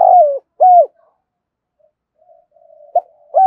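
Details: Decoy spotted dove giving its urging 'gù thúc' coo, used to lure wild doves: two loud, low, slightly falling coos open, then near silence with faint murmurs, and a final coo begins at the close.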